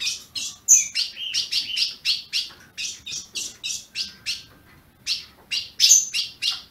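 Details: Captive ultramarine grosbeak (azulão) kept by a Brazilian breeder, calling to warm up other caged birds: a steady run of sharp, high, clipped chips, about two per second, some with a brief whistled tone, in a quiet room.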